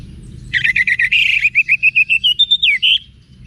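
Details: Orange-headed thrush in wiksar style, meant to make cage birds answer boldly: a fast run of about fifteen chirping notes, buzzy at first, then clearer, ending in a looping whistled flourish.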